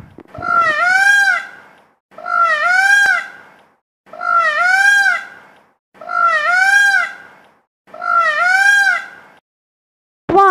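A peacock gives five loud, nasal, wailing calls, each rising then falling, repeated steadily about every two seconds.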